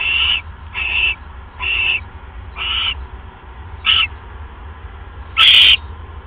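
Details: At night in late January 2015, an owl calls as the male brings a mouse to his mate. Five clipped, high, nasal notes come in quick succession, then a louder, harsher squeal ends the series. Low background hum throughout.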